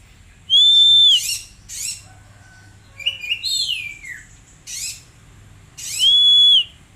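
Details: Caged Oriental magpie-robin alternating loud, harsh, buzzy bursts with long, steady, pure whistles and a descending slurred phrase, each element separated by short silences.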